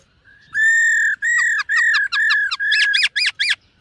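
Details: Black-throated laughingthrush singing and dancing in a morning voice-training session: long clear whistled notes held steady, each about half a second, then a quicker run of short looping whistles rising higher at the end. No other sounds.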